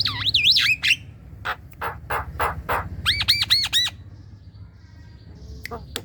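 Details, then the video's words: Javan myna calling, used as a lure so young mynas answer: looping whistles, a series of rough squawks, then rapid arched chirps repeated about four times. "Pancingan jalak kebo"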